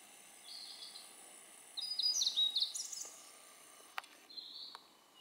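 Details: Blue-and-white flycatcher singing in a dim valley on Mount Maya on 23 June 2017: a thin high whistle, then a quicker phrase of bright, varied notes, and a final faint whistle, over a soft background hiss.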